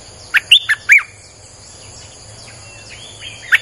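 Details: Streak-eared bulbul singing 'sap dok' nonstop as a lure for wild birds; one quick phrase of four crisp chirps, then faint distant warbles and a single closing note.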